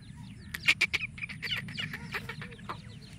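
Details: Wild black francolin with chicks gives a quick, uneven run of short, harsh clucking notes, roughly a dozen in three seconds, with thin faint peeps over a low rumble.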